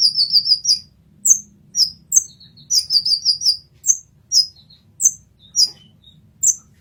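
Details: Kolibri ninja, or olive-backed sunbird, in masteran song: opening rapid trill of high tweets, followed by evenly spaced sharp chips and another quick trill, over faint hum.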